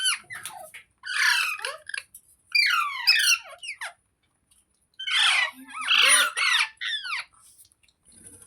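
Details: Indoor talking green parrot (rose-ringed parakeet): bursts of gravelly, voice-like phrases with falling inflections, a quiet gap near the middle, then a louder, broad, harsh run of chatter and a few trailing squeaks.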